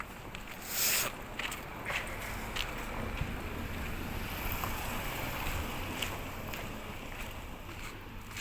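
Steady broadband rumble like wind or water, with a few sharp clicks and knocks and no clear animal voice.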